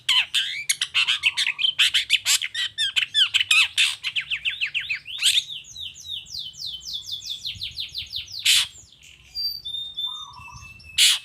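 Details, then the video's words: Long-tailed shrike singing loudly as a lure for other shrikes: a fast stream of chattering and chipping notes, then a series of descending whistled slurs, a harsh burst, a low whistle and a final rasp. "Suara Cendet Gacor Toet toet"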